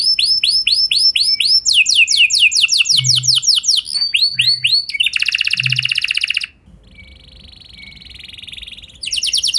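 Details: Canary song used to provoke other canaries into long rolling song: loud, fast trills of repeated downward-sweeping whistled notes, some rapid buzzy rolls, a steadier high tone near the end, very high-pitched throughout.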